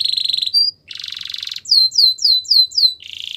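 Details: Canary training song with a buzzy rolled trill, a short rising whistle, a harsh broadband burst, then five clear downslurred whistles about every quarter second, closing on another rolling trill.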